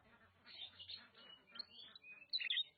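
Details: Oriental magpie-robin (kacer) from Nagan Raya, Aceh, singing a busy run of short, high chirped and whistled notes. Thin rising and falling whistles follow, then a louder sharp burst near the end over a low background hum.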